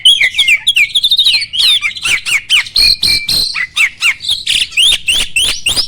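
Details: Starling song used to spur other birds into song: busy mix of warbled whistles and grating chatter at a rapid pace, with a sustained whistled note midway and quick upslurred notes toward the end.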